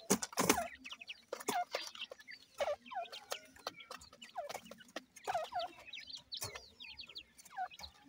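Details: Deccan francolin pair with chicks: a busy series of short, high, falling chirps repeated over and over, broken by loud clicks and knocks.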